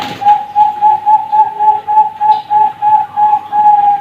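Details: Bangkok-type zebra dove chick at a bird farm repeats a rhythmic cooing phrase, about three soft rounded notes per second, steady in pitch throughout.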